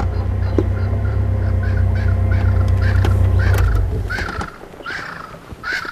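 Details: A very upset Swainson's Spurfowl, just disturbed by nearby lions of a breakaway pride, gives harsh, rasping alarm notes in a quick, steady series, followed by a little contact call.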